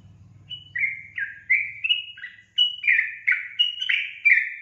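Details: Energetic song from a sooty-headed bulbul: clear, liquid whistled notes alternating between a higher and a lower pitch, each falling at its end, repeated about every half second, over a soft low hum at the start.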